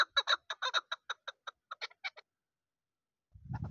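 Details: A young chukar partridge of this season, a hunting bird, utters about fourteen sharp chuk notes over two seconds that thin and weaken toward the end, followed by a low rumbling noise.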